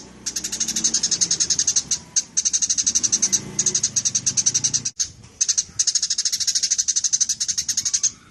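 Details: Eurasian tree sparrow chirping hard, used as tutor material for songbirds: long strings of rapid, evenly spaced harsh chirps, roughly five per second, split by a few brief gaps, over a low background hum.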